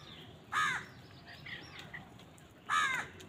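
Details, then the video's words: Crows calling on a winter morning, with many birds present and described as fighting for food: two loud, harsh caws about two seconds apart, and fainter caws from other crows between them over a steady background hiss. "Many Crows crowing sounds and noises on a winter morning"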